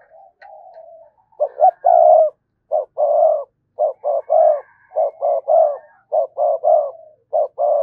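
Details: Spotted dove cooing as a decoy meant to provoke wild doves into answering: deep, mellow coo phrases of two or three quick notes and a longer drawn note, repeated in steady runs with short gaps.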